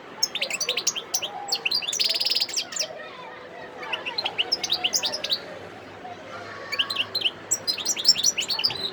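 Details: European goldfinch, wild, recorded 17 December 2021 at Sidi Bel Abbes, Algeria, pours out bright tinkling song in bursts: quick liquid twitters, a short buzzy rattle, a pause, then more high chirps and trills.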